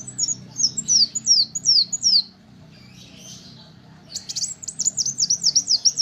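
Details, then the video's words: For training songbirds, a little spiderhunter gives a series of high, falling chip notes, falls quiet for a moment, then returns with a buzz and rapid repeated descending notes; low hum throughout. "Kolibri wulung untuk masteran dan pancingan burung kicau"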